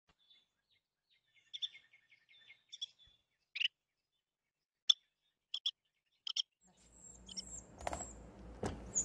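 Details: Carolina wren, recorded in 2022, gives sharp, high chips and a quick rattling run of notes, spaced irregularly; rustling and scraping noise follows at the end.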